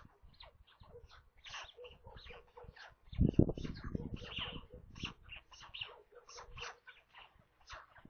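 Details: White stork chicks, five in the nest near Kaluga in central Russia, clamouring at the 13:57 feeding on 27 May; continuous thin, squealing and mewing notes from several birds, interrupted by a loud bumping burst mid-way.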